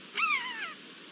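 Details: Eurasian jay imitating a common buzzard, recorded 22 March 2022: a single drawn-out mewing cry, starting sharply then sliding gradually downward over about half a second, clear against a quiet background.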